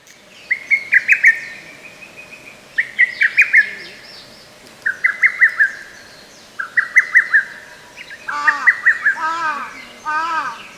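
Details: Lesser cuckoo singing in a forest park on 15 May 2024. Short staccato phrases of about five or six sharp notes repeat every two seconds or so. Another bird gives lower, downslurred harmonic notes near the end.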